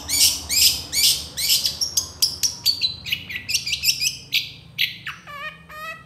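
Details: Long-tailed shrike giving energetic 'tembakan' song with 'isian' fill, a tutor recording: a rapid run of harsh rasping notes about twice a second, then a string of clear whistled notes.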